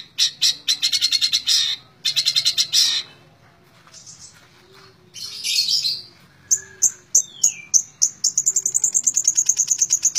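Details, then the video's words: Long-tailed shrike singing in 'tembak ngebren' style, rapid rattling bursts of high notes, a quiet pause, then thin high whistles, a falling slurred note and a quick closing trill. "Burung cendet tembak ngebren"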